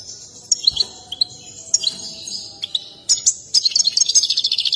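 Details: European goldfinch in an excited display with dance gives spaced sharp chirps that quicken into a fast run of repeated twittering notes at the end.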